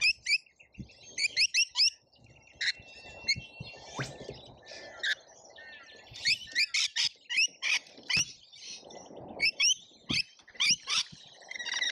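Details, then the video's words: Lorikeets in a feeding frenzy at a feeder in Australia, filmed by a feeder camera: dense bursts of shrill, screechy chirps and short rasping notes, repeated in quick clusters, with some soft low rustling underneath. "Colorful Chaos Lorikeets Feeding Frenzy"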